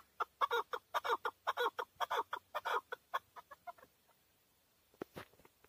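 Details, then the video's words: Chukar partridge, a male hunting bird in Tajikistan, 2020, giving a rapid train of harsh chuck notes that speeds up, then thins into softer clucks and trails off, with a couple of knocks at the end. "Нар Кабки Шикори (Садои кабки Шикори) 2020. Каменная Куропатка (Кеклик) в Таджикистане 2020. KEKLIK"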